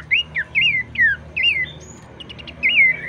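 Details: Abbott's babbler singing to prompt other babblers to sing. Separate looping, down-curving whistled notes come roughly every half second, with a short gap midway, over a continuous low-pitched hum.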